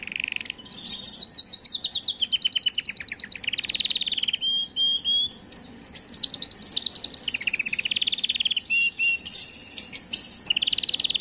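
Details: Canary singing to excite and prepare females: continuous chain of fast repeated-note rolls, descending trills, and brief pure whistles changing tour every second or two, with steady loud high-pitched delivery throughout.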